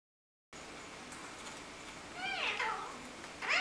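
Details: Hand-tamed pet parrots kept indoors with a three-week-old baby bird; a series of harmonic, arching, meow-like calls sweep up then down, followed by a louder rising call at the end over a steady background hum.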